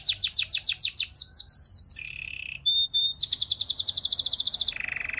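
A Belgian canary sings fast, high rolling tours of rapidly repeated chips, broken by a low buzzy trill and a pure whistled note, with no other sounds.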